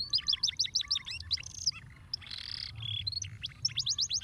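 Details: Fast canary song meant to stimulate lazy canaries into singing. Quick repeated chirp notes open it, followed by a brief buzzy tone and a pause, then more rapid high chirps.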